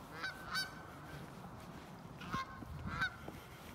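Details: Canada geese resting on a snow-covered field on 8 December 2018, recorded with an iPhone 8: scattered nasal honks, two close together early on, then two more after a gap, with quiet low background rumble.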